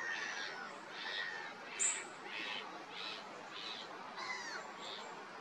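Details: A common chiffchaff at Vuelta Ostrera sings high, thin notes that step up and down, repeated about every two-thirds of a second, with a steady background hiss and one sharp click.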